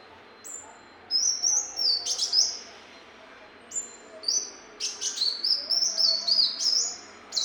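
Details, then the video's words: Kolibri muncang, a sunbird, singing in a training recording: very high, thin phrases mixing short clicking chips with level and stepped whistles, several bursts with brief pauses between. "MASTERAN SUARA BURUNG KOLIBRI MUNCANG"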